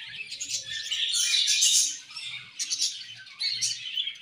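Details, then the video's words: Budgerigars chirping in a colony during feeding, a loud swelling mass of high warbling chatter that drops briefly near the middle before bursts of scratchy chirps resume. "Budgies Colony Chirping Sounds"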